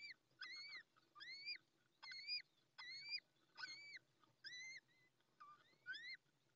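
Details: In the nest in La Moraña, Ávila, Spain, a freshly hatched, still-wet little owl chick peeps without pause while the female is away, on 20 May 2024 around dawn. About nine loud, rising-falling peeps arrive roughly every 0.8 seconds.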